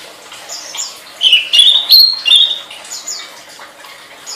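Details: High-pitched flowerpecker song for training songbirds, a run of rapid rising chips that flow into a thin, level, slightly wavering whistle lasting about a second, then softer scattered twitters.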